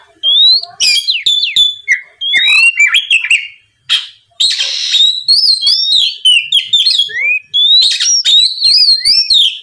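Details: Oriental magpie-robin song in the loud, open ngeplong style, used as a lure to provoke rival magpie-robins into answering and singing. Rich, loud whistled phrases, rising and sliding notes mixed with harsher chattering bursts, delivered almost continuously with one short pause.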